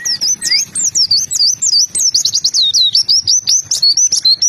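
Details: White-eye singing energetically, a rapid run of high, thin twittering notes, each sharp chirp bending up and down, about four per second, with a few lower slurred notes early on and no other clear sounds.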